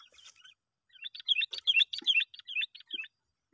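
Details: Sooty-headed bulbul calling to draw in other bulbuls: a rapid run of bouncy, chirped double notes, about three per second, loud and even.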